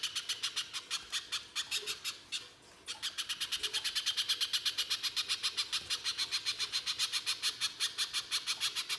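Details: Constantly singing pijantung pisang spiderhunter giving coarse shooting notes, used as lure song: a steady stream of hard chips that speeds to about four per second after a pause.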